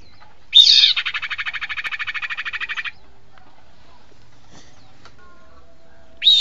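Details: Sirpu bird lure call: a sharp, high whistled note leads into a fast buzzy trill of about twenty even pulses lasting two seconds; after a pause, the whistle starts again.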